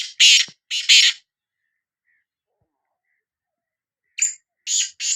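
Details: Harsh, raspy calling of a Sindhi black francolin: two grating phrases of stuttered notes, a pause of about three seconds, then a further rasping series begins; background otherwise quiet.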